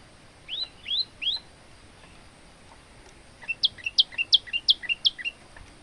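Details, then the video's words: Male olive-backed tailorbird singing for training other birds: three upslurred whistles, a pause, then a fast run of sharp, high paired notes repeated about three times a second, with a faint steady hiss behind. "burung prenjak lumut gacor untuk masteran"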